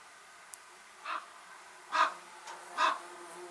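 A common raven gives three hoarse, rasping croaks a little under a second apart, with a faint click just before against a quiet background.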